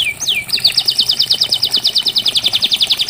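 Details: Canary song for therapy of a non-singing canary: two looping whistles followed by a fast steady series of about twenty repeated chopped notes, roughly seven per second.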